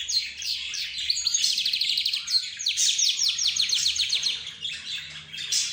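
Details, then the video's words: Several caged birds, including budgerigars, zebra finches, roz birds and a canary, pour out a steady stream of fast, sweeping high chirps and trills that run almost continuously. "حديث الطيور"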